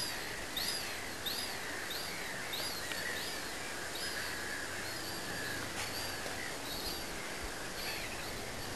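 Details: Young black-headed gulls, hatched at lake Säbysjön, Järvafältet, Sweden, calling on 5 July 2008: thin, high, arched squealing notes repeated irregularly every half second or so, over a steady background hiss.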